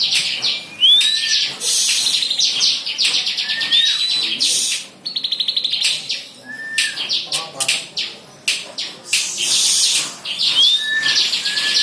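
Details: Bar-winged prinia singing, recommended for tutoring songbirds: lively varied chatter of harsh high bursts, short trills and repeated rising slurred whistles, with brief gaps between phrases.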